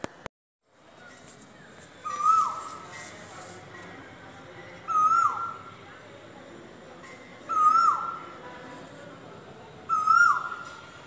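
An Asian koel gives a loud, clear whistled note, repeated four times about every two and a half seconds over a faint background hum.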